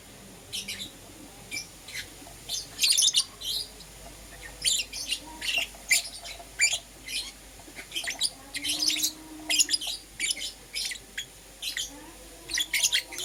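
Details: Green opaline and lutino lovebirds chirp through the morning in a steady stream of short, shrill, high notes, often paired, repeated every fraction of a second over a faint background hum.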